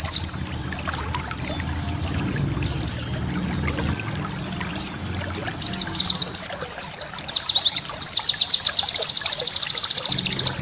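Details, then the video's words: White-eye used as a master voice for cage-bird training, full of special bursts. Sparse high slurred chips at first, building into a dense series and ending in a long fast steady trill. "masteran burung pleci"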